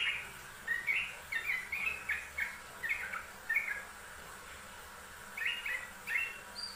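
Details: Yellow-vented bulbul in a training master recording, delivering short liquid chirping phrases at an even pace of roughly two per second, a brief gap, then a few more, over a soft constant hiss.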